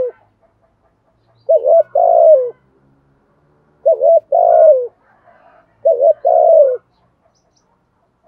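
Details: Spotted dove in the 'giọng thổ' voice, giving the 'thúc gù' cooing style: three low, mellow coo phrases about two seconds apart, each a short double note followed by a longer, falling coo, in quiet surroundings.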